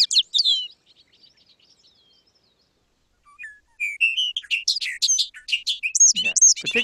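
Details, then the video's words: Bobolink's bubbling, tinny song: a burst of high notes, a pause, then a rapid jumble of metallic, jangling phrases leaping in pitch; it sounds almost machine-like, like a clunky wind-up toy, especially metallic at the beginning. "the beginning of the song sounds very metallic sounding, I find."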